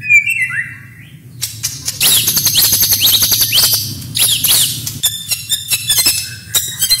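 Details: White-rumped shama master song: a few clear whistles, then a dense, fast medley of high chattering rolls, sharp bursts and quick slurred notes, loud and nearly unbroken.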